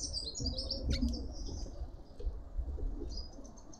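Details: Red-winged starlings feasting at a feeder in a suburban garden in Pretoria, South Africa: quick, high, thin chirps and twitters in a busy scattered run over a steady low background rumble.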